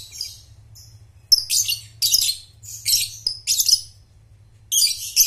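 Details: Lovebird chatter used to train young birds to trill (ngekek): short rasping high bursts of about half a second, repeated with brief gaps, with occasional thin squeaks between them.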